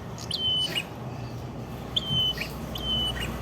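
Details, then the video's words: Red-headed prinia recorded in Padas district, Ngawi, East Java, in full song: three sharp, high level whistles with short falling tails, spaced about a second apart against quiet background noise. "Suara Prenjak Kepala Merah Gacor"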